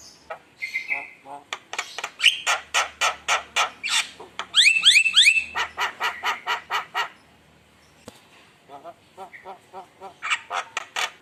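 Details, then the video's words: Javan myna in full voice, recorded as a lure to rile rival birds: a fast even series of harsh rasping notes, a cluster of bright rising whistles midway, then softer chatter after a brief pause. "Pancingan Suara Mewah Jalak Kebo Gacor Bikin Panas Lawan"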